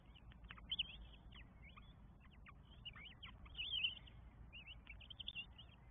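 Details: Northern goshawk young, four at the nest, begging as they are fed, Estonia, 24 May 2022; rapid clusters of sharp, high down-slurred squeaks, some louder peaks, nearly continuous throughout.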